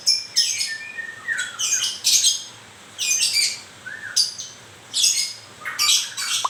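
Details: White-rumped shama during moult delivering grouped harsh, buzzy bursts interleaved with brief lower whistled notes, in clusters with short silent gaps between.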